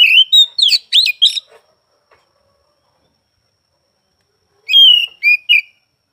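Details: Oriental magpie-robin (kacer) singing at some time across morning, afternoon and night: a short burst of rapid, sliding whistles and sharp chirps, a long silent pause, then three quick whistled notes.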